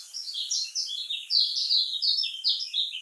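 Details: Lemon-bellied white-eye (kecial kuning), Lombok style, used as a lure for birds that sing poorly: a quick run of sharp, high, slurred notes, nearly three per second, against a light background hiss.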